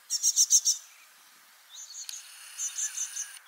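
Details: Young, freshly hatched great tit calling on a spring 2024 morning in Parc Izadia, Anglet, one of four young playing and communicating continuously: five quick, high, thin notes in under a second, then a softer run after a short pause.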